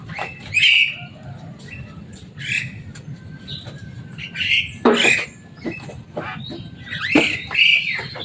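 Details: Kept Javan myna, a loud, noisy bird able to imitate speech, uttering scattered harsh squawks and sharp, rasping screeches separated by short pauses.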